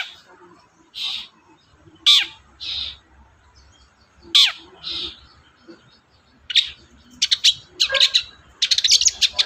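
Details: Long-tailed shrike used to prompt a quiet shrike to sing, starting with spaced rasping notes, then breaking into fast scratchy chatter and dense, buzzy bursts.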